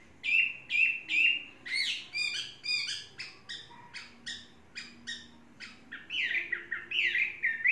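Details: Chinese hwamei, a tame bird of three seasons, delivers short whistled slurs over a rapid series of sharp broadband clicks or knocks, followed by rich, varied swooping whistles near the end.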